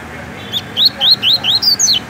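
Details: Captive double-collared seedeater from Rio de Janeiro, Brazil, singing the tui-tui song style: a run of about seven quick, rising whistled notes, each slurred upward, the last few climbing higher and sharper.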